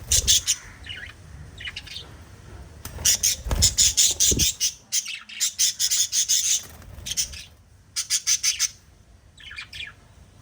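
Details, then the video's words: A pet budgie gives rapid runs of harsh, buzzy squawks, about three per second, in bursts separated by short pauses, with quieter chirps and a few low knocks between. "Little LOVE Birds Chirping Sound PARROT Family video"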